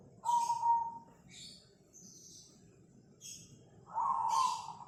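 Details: Zebra dove of the cemani type in Tangerang, Banten, Indonesia, recorded 24 August 2020, delivering a short steady trilled coo followed after a pause by a louder, longer burring one, while other birds chirp high and briefly in between.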